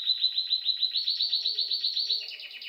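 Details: Home bird chirping with a rapid, evenly pulsed high trill that rises slightly and continues as a rolling series of quick chirps, with faint lower twitters behind.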